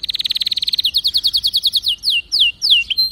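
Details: Song of a canary. A very fast, even trill changes into slower, repeated downward-sweeping whistles, roughly three per second, ending on a short level note.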